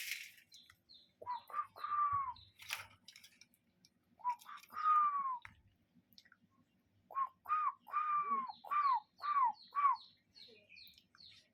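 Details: Cuckoo calling in nature: runs of arched, slightly hoarse notes, the first two runs short and a final run of about seven quick notes, over steady high chirping from small birds.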